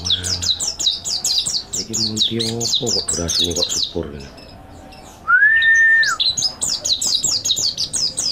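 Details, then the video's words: High, fast chirping twitters from a mountain white-eye, used as a training master song, with lower harmonic rasping notes early on and a single long, level whistle that falls away at its end. "MASTERAN PLECI MONTY GACOR NEKBAK ISIAN MANTAP | MANTERAN PLECI MONTANUS ISTIMEWA"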